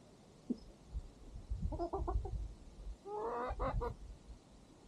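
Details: Chickens and a rooster on a farm at sunset while the farm dog eats; a single early cluck, then two bursts of rapid harmonic clucks, the second rising and more strident, over low rumbling background noise.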